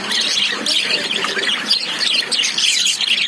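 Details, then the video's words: Several lovebirds kept in a cage call at once, a thick wash of shrill twittering and scratchy squawks running steadily for a few seconds. "Love birds sound"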